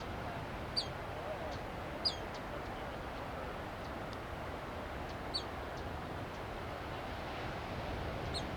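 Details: Black phoebe perched on an arroyo willow at Asilomar Dunes, California, giving sharp, high, downslurred chip notes, four spaced irregularly over about eight seconds, over a steady low roaring background noise.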